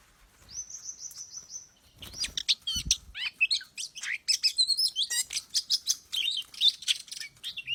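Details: Lure recording of an oriental magpie-robin. A steady high whistled note is held for over a second and then gives way to a rapid jumble of clicks, chips and twisting whistles. The fast, varied chatter continues to the end.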